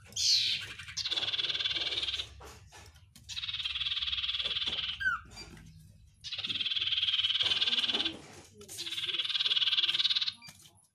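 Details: Oriental white-eye (sirtu) in a song full of fill phrases: four long buzzy, insect-like trills of about two seconds each, separated by short pauses and a brief downslurred chirp, over a low background hum.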